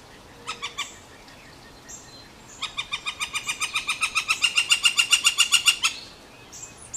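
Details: A Northern Flicker, one of a pair, gives a few loose notes, then a long, fast run of loud, ringing 'wik-wik-wik' notes, about six per second, building in volume before stopping.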